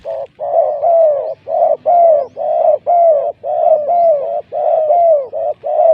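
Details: Spotted dove kept as a lure, cooing continuously in rapid mellow falling notes, short and long coos alternating with barely a pause between them, with a faint low murmur behind.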